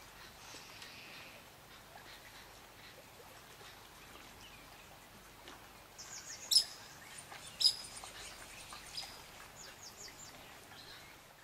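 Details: Pied kingfisher (Ceryle rudis rudis) at Kibuye, Rwanda, March 2013, giving two sharp, high chirps about a second apart, then a brief run of faint twittering notes over soft background hiss.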